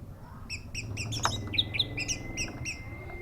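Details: Orange-headed thrush singing a string of short, clipped notes at an irregular pace of roughly three per second, with a thin steady whistle running underneath and a low background hum.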